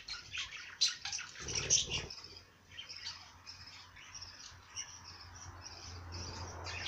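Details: Bird song of high, rapid chirps and twittering notes running almost continuously, with a brief low rumbling noise near the second second and a steady faint low hum underneath.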